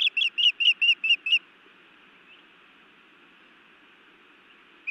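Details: Nest-cam recording from Montana, May 2017, of a female osprey scolding her mate: six loud, piercing whistled chirps in a fast regular row, then quiet hiss and one more chirp at the end.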